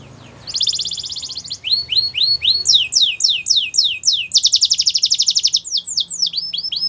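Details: Belgian canary song: after a brief quiet start, a bright rapid trill, then a series of rising swept whistles about four per second, then another fast rolling trill and more sweeping notes.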